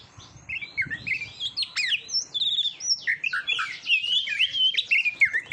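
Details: Kacer (Oriental magpie-robin) training song for competition birds: after a quiet start, a fast sequence of sharp whistles, twisting slurs and chips, lively and varied.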